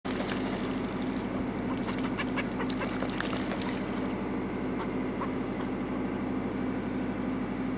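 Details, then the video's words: Several northern fulmars on the North Sea give harsh, guttural cackling calls in a steady chattering run, with a low constant rumble underneath. "Eissturmvögel Nordsee varios - Nothern Fulmar severals"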